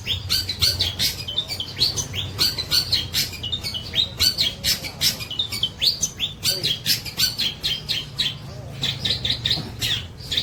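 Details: Singing long-tailed shrike copying the tengkek buto kingfisher: a busy, uneven chatter of sharp, scratchy high notes and squeaks, several each second, with a steady low hum underneath.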